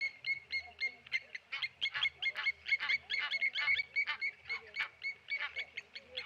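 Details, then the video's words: Blacksmith lapwings dive-bombing a tawny eagle at the Okaukuejo Resort waterhole in Namibia: rapid, irregular metallic clinking notes, about four a second, sharp and ringing, with faint low murmur in the background. "Tawny Eagle dive bombed by Blacksmith Lapwings."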